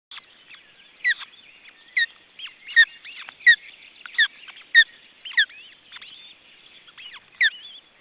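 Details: Osprey nest with a second chick, June 2012: loud, piercing down-slurred whistles repeat roughly every half to one second over a continuous backdrop of softer high twittering.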